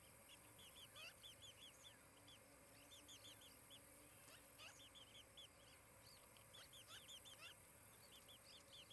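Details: Osprey pair's nest in Charlo, Montana, July 2018 morning: long bouts of quiet, hurried cheeping notes in bursts with brief pauses, faint and distant, a low steady hum and hiss beneath.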